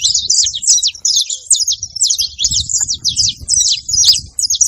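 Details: Saffron finch (canário-da-terra) in rural Brazil singing short bursts of sharp, high, chipping notes and quick slurred phrases, roughly two per second, over a low murmur of background noise.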